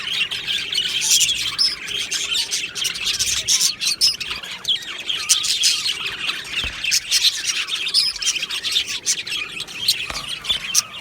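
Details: Aviary colony of budgerigars recorded 22 June 2025, a dense chorus of warbled chatter and quick high chirps from many birds at once, with a few sharper squawks standing out around the first and eighth seconds.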